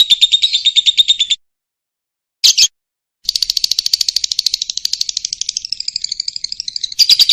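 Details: Lovebird song used as a training recording for young lovebirds: a fast, high, rattling trill of rapid chirps, a pause and a short burst, then a long continuous run that wavers in pitch toward the end.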